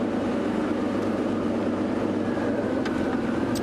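Steady engine rumble from a vehicle fills the whole stretch, with a low droning hum and broad noise and no calls standing out above it.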